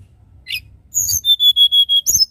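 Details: Tledekan gunung singing in the nyuling style: a high chip, then a run of five or six steady, pure whistled notes on one pitch in quick succession, closing with a sharp warbled flourish.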